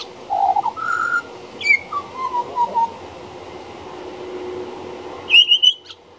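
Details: Juvenile pied butcherbird singing near a back door: a flowing run of mellow whistles that rises, slides down in several linked notes, pauses, then ends on a higher sustained whistle.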